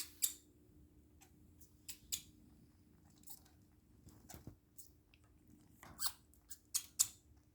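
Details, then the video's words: Parakeet coughing indoors: short, dry, hissy coughs and clicks in an irregular scatter, about a dozen over several seconds, with a faint low room hum behind. "parakeet coughing"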